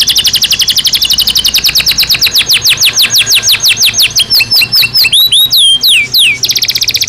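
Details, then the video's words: Belgian canary in natural song, meant to train birds to sing louder and better: a long, dense tour of falling sweeps gives way to rising upslurred notes and ends in a fast, buzzy roll. "Som de 1 Hora com Canario Belga Cantando Naturalmente"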